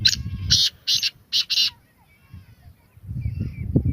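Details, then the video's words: Black francolin, the Sindhi teetar, opens with five harsh, scratchy, clipped notes delivered in a quick rhythmic burst, then falls silent as a low rumble and faint bird calls take over. "Beautiful voice of black francolin Kalay Teetar Ki Awaz Kalay Teetar Ki Boli Sindhi teetar ki awaz"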